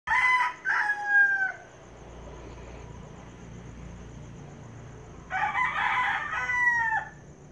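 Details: Rhode Island Red rooster crowing twice: each a loud, harsh, drawn-out crow about two seconds long, with a stuttering start and a falling tail, separated by a quiet gap with faint background noise.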